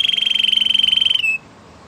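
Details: Canary singing a sustained, fast, even trill on one pitch, like a rolling whistle, lasting over a second before stopping abruptly, with a soft background hiss.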